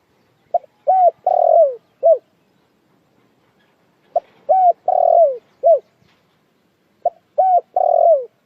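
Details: Spotted dove giving its call, described as the most standard one: a four-note cooing phrase, short notes around a long falling middle note, repeated three times about every three seconds against a quiet background.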